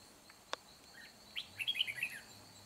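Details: Red-whiskered bulbul kept as a fight-trapping decoy, recorded 4 April 2021, gives one lively, bubbly phrase of quick clear notes after a sharp click, while an insect buzzes steadily behind it.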